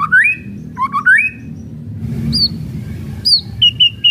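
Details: White-rumped shama kretekan song used as a lure: two rising whistled phrases, a pause with faint background hum, then sharp downslurred high notes and three brief clipped whistles.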